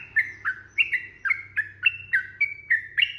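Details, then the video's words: Sooty-headed bulbul in a long, rapid fighting-style song meant to provoke other bulbuls into answering. Liquid, slurred notes repeat about three to four times a second, each dipping and rising, over a faint low hum. "trucukan gacor TARUNG ROPEL PANJANG"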